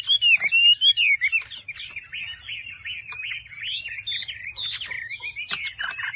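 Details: Chinese hwamei kept in a cage, opening with a clear rising-falling whistle, then a long stream of rapid, varied warbled notes and chirps delivered without pause; low background hum.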